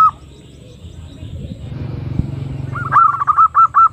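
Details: Female zebra dove call used to lure birds; after a stretch of low rumbling background hum, a quick run of short, even cooing notes repeats several times a second.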